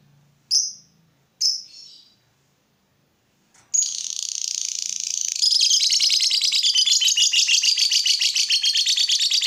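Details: Lovebird song meant to make other lovebirds start singing: two sharp separate high chirps, a pause, then a long, loud, fast chattering trill of buzzy high notes that continues to the end.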